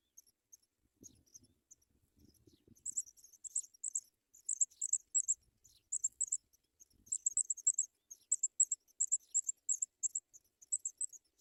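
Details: Sprague's pipit at its nest, bringing food to its young: short, high, sharp chips, single and doubled, repeated at an uneven quick pace. Sparse at first, then steady. A faint low rustle early on.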